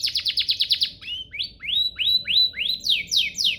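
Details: Canary master song for tutoring canaries: a fast series of falling chirps, then rising whistled slurs spaced about a third of a second apart, and steep descending sweeps.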